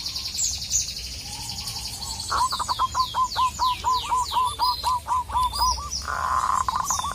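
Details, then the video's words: Local Indonesian zebra dove calling a rival: after high chirps and sweeping whistles from other birds, a fast, regular series of about fifteen short hooked coos runs for over three seconds, then resumes briefly after a brief burst of noise. "Perkutut lokal gacor memanggil lawan, burung kutut manapun langsung NGAMUK"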